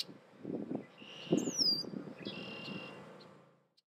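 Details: Male Red-winged blackbird warning of intruders near its nesting area: a sharp, high, downslurred whistle midway, with steady high thin tones before and after, over a loud low rumbling background.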